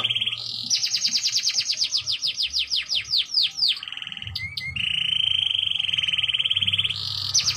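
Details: Canary singing a continuous varied song: fast rattling trills, a run of repeated descending sweeps about four per second, then a long steady high buzzy trill, ending with sharp bright notes; faint low hum in the background.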